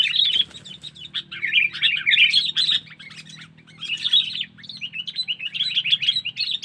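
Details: Sooty-headed bulbul lure call used to attract wild birds: dense, lively bursts of bright chirping and twittered notes, phrases separated by short pauses, over a faint low hum.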